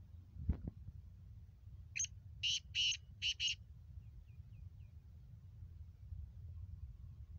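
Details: A dull thump, then a Kala Teetar, the black francolin, in its speeder Sheedi cross voice, calls: a short lead note and four grating, buzzy notes in two pairs, followed by faint thin chirps and low hum.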